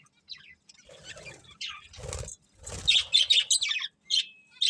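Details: Budgerigars eating and singing happily: soft twittering mixed with rustling, scratchy feeding noises and fluttering, ending in clearer, louder warbled chirps and one thin whistled note.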